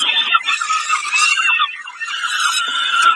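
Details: Peregrine falcon at Kawęczyn, 20 May 2022, calling during a snack; loud, harsh, drawn-out squealing wails held almost without pause, slightly rising and falling, with a short dip near the middle.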